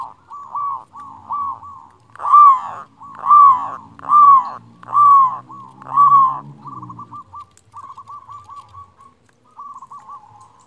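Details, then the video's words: Loud-voiced local zebra dove in full song, meant to stir silent doves into singing: soft quick trilled coos, then five loud, drawn-out arching coos about a second apart, fading back into soft rippling trills. "Perkutut lokal gacor suara besar Masteran perkutut bikin yang malas jadi bunyi"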